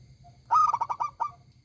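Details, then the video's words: A local zebra dove in strong voice gives one ringing phrase of about six rapid pulsed coos, followed by a brief detached final note, with low background hum. "perkutut lokal gacor suara besar nyaring"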